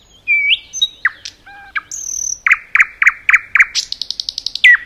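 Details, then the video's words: Common nightingale in forest, singing varied whistles, a high sustained whistle, then a run of loud repeated chirps and a quick high trill ending in a slurred note. "Nightingale song"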